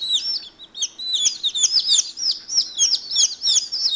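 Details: One-day-old chickens jumping in their water dishes, a group of chicks giving a dense stream of high, sharp peeps, several overlapping each second.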